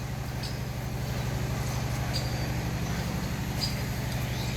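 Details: A steady low engine drone of a nearby vehicle fills the recording, with faint brief chirps high above and no clear animal voice.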